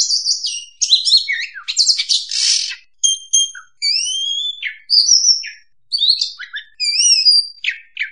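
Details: Lure sound of an oriental magpie-robin (kacer) for bird trapping: rich, varied song mixing harsh buzzy bursts with clear whistles sliding up and down, phrases separated by brief gaps.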